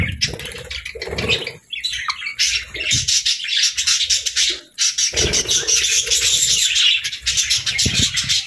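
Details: Budgies chirping and singing happily in an almost unbroken stream of scratchy twitters and buzzy warbles, with brief dips between phrases.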